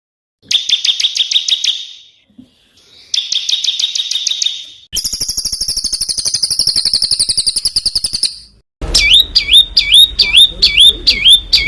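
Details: Small bird in song-training material with a rough, shot-like delivery, for coaching competition songbirds: fast high trills, a buzzy rattling run, then repeated looping upswept whistles, each section in a separate burst.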